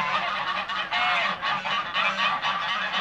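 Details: Toulouse geese kept in a backyard, honking loudly and steadily in a brief burst of raucous nasal calls from several birds at once.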